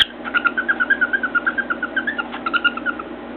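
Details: Caged pet cockatiel sitting atop its cage beside a mirror, whistling: a rapid, rhythmic string of short chirped notes, roughly a dozen per second, with a brief break midway before resuming, against low room hum.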